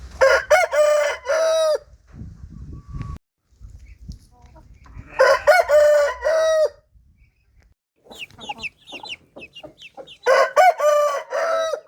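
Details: Rooster crowing three times, loud harmonic cock-a-doodle-doo phrases with steady held endings, separated by low rumbling background noise and a few faint chirps between crows.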